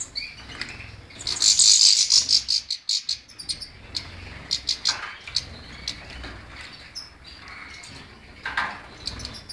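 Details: European goldfinch song opening with a loud, harsh buzzy burst, followed by scattered quick chirps and sharp high notes spread across the phrase.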